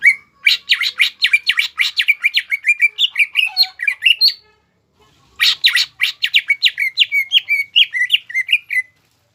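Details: Two bursts of fast chattering song from a caged greater green leafbird (cucak ijo) singing to rile rivals, dense buzzy notes falling into whistled slurs, separated by a second of silence.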